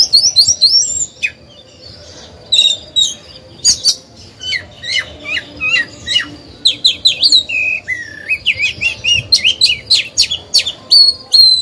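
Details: Oriental magpie-robin kept as a decoy singer, used to stir rival birds into song and coach young ones; bright sweet whistles alternate with scratchy high chips and quick downslurred notes in a lively, broken stream.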